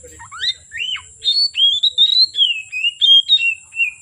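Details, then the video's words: Oriental magpie-robin keeps singing from late afternoon until dark, giving rising whistles followed by a run of fluid, warbled notes that fall slightly. A constant thin high tone is heard throughout. "Kacer Gacor Sore Sampai Gelap Malam tetap Bunyi Gacor"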